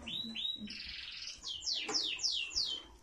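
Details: Rare rose-coloured canary of an old line, singing in breeding excitement: a rising whistle, then a series of bright, downward-sweeping high notes repeated about three times a second, with low murmuring voices behind.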